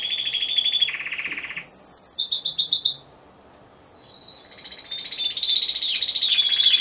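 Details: Individual Timbrado Español canary singing during a judged song competition, category C2, November 2015. It gives a bright trill, a lower rolling burst, then choppy high notes. After a brief silence, a long sustained trill returns with quick upward flicks.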